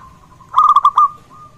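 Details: A local zebra dove (perkutut) calling vigorously, meant to spur other zebra doves to call and lift their arousal; one short burst of five quick, rolling, bubbly coo notes, the last slightly longer, over low background hum.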